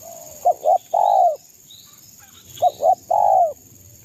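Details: Spotted dove from East Java singing to stir up rival birds: two identical phrases of two quick clipped coos then a longer, drawn, falling coo, separated by about a second of quiet.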